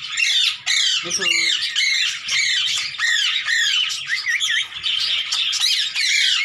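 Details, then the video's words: Indian green ringneck, hand-tame and playing with its mentor, squawks rapidly, close to two calls a second, in rough rising-and-falling shrieks; a brief lower voice-like sound cuts in near the first second. "INDIAN GREEN RING NECK HAND TAME"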